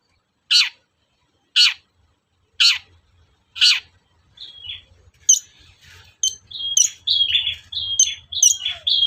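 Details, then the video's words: Long-tailed shrike provoking sound for caged shrikes: four harsh rasps about a second apart, then a lively stretch of high ticks, short whistles and chatter that grows denser. "SUARA PANCINGAN BURUNG CENDET AGAR EMOSI & NYAUT GACOR"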